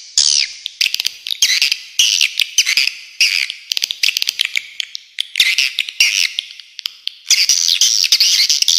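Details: Swiftlet calls: dense, buzzy, high twittering in rapid bursts, broken by sharp dry clicks scattered throughout, with brief quieter gaps between runs of chatter.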